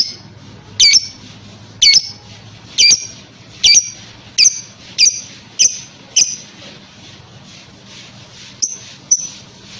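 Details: Lovebird lure for getting other lovebirds to reply; sharp, clipped high chirps repeat nearly once a second, growing softer toward the end, with two final faint chirps over hiss.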